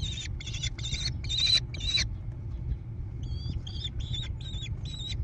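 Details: American kestrel nestlings in a barn-side nest box near Prairie du Chien, Wisconsin, USA, 14 June 2022, via nest camera: five loud grating screeches, a short pause, then five thinner, whistled-edged screeches over a low hum.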